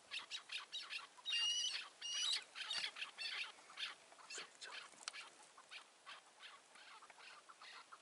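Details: Chukar partridge caught in a rooftop trap by a roadside on the morning of 15 March 2020 and later released gives harsh, clucking chuck notes in quick uneven series, rising into louder grating bursts.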